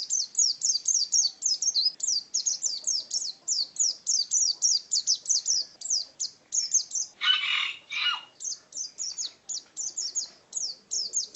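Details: Ngalas wild-type song of an Oriental white-eye, quick series of sharp high downslurred chips in rapid runs, interrupted around the middle by two short harsh broadband rasps before the twittering resumes.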